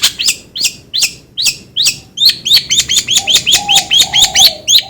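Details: Long-tailed shrike repeating a sharp, high, downslurred note, slowly at first and then faster, around three per second by the end, with a soft low tone behind.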